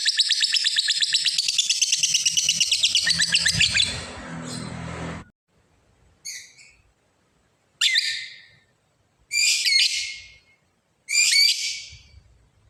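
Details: Lovebird's long 'ngekek' chatter, given to call a rival: about five seconds of rapid, shrill, pulsing trill, then silence broken by four separate harsh screeches.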